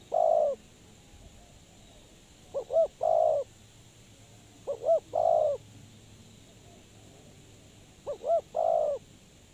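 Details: Spotted dove used to lure others into traps. It gives gentle cooing phrases of two quick notes and then a longer coo, spaced roughly every three seconds.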